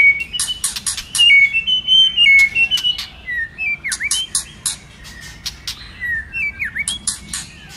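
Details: White-rumped shama with many-voiced song to excite other shamas into singing: rapid clicks alongside bright level whistles, followed by looping dipping whistles and scattered sharp ticks.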